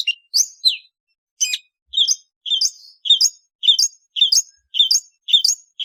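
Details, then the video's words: Long-tailed shrike repeating a two-note call about every half second, a lower buzzy note followed by a higher clipped one. The series is preceded by a few sharper, scattered notes. "เสียงนกอีเสือหัวดำ Lanius schash"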